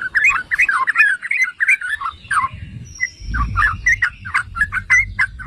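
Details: Yellow-vented bulbul singing to goad other bulbuls: quick gurgling liquid phrases, a brief pause, then scattered sharp chirps with a low thump of noise.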